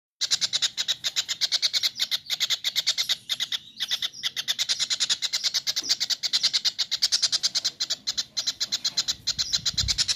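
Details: Kingfisher calls used as a training recording for cage birds: a fast, harsh, chattering series of clipped notes, about five per second, running almost without pause, with a brief break near the middle and a low rumble at the end.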